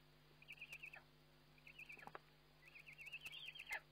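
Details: Eurasian eagle-owl recorded by webcam during a feeding on 29 May 2011, giving three high, wavering trilled calls, the last longest and rising at its end, with soft clicks and a constant low hum beneath.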